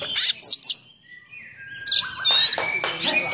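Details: Oriental magpie-robin song with coarse fill-in notes, aimed at provoking and training other magpie-robins; three sharp high chirps, a short pause with a thin drawn whistle, then a busy rush of squeaky notes.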